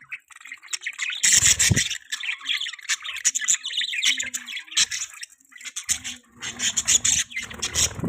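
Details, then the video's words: Dense, harsh chatter from pet budgerigars, fast chirps and squawky warbles crowding together in loud surges, with low knocking now and then. "Budgie chirping sounds|Cute Budgies Sounds"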